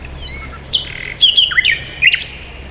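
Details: Close bird chirps: thin high whistles followed by a sequence of bright, slurred notes that dip and rise, all within about three seconds, over faint low hum.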